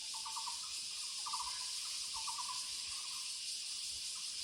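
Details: Muller's barbet calling in the woods: a repeated series of rapid, stuttering low notes, each burst trailing into a slurred tail, over a loud continuous shrill of insects.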